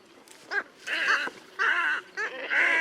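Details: Squacco heron at Lake Panic in Kruger Park, giving harsh, nasal croaking calls in short bursts with stacked harmonics, about four separate calls spread over three seconds, with quiet background.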